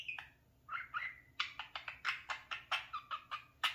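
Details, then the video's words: Pet parakeet playing in front of a mirror indoors, said to talk; a few warbled notes followed by a run of rapid, evenly spaced harsh clicks and chirps, about ten bursts in two seconds. "the talking @parakeet"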